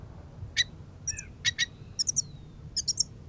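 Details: Goldfinches at an early morning gathering, chattering: bright, high twittered notes in short clusters, some paired, with one thin drawn whistle sliding downward, over a faint low rumble.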